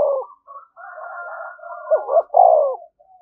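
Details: A decoy spotted dove coos to stir up fighting. Soft warbling notes lead into a deep double coo and a drawn-out, falling final note.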